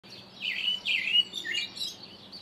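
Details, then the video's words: Karoo thrush recorded early in the morning giving a varied run of warbled and whistled phrases, sliding between high and lower notes, with faint background hum. "The Karoo Thrush with bird sounds"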